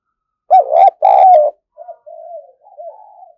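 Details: Spotted dove kept as a decoy: a loud, rough double coo at close range, then three softer, smooth coos trailing off.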